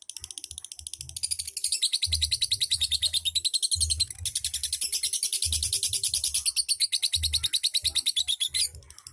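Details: Lovebird singing ngetik ngekek: a dense, long stream of piercing, rattling chirps at roughly three per second, building after two seconds and holding steady, with soft low knocking sounds.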